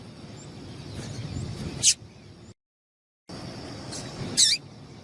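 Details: Female yellow-bellied seedeater calling to excite males into singing: two short, sharp, very high chips about two and a half seconds apart, separated by a brief cut to silence, over low background rumble.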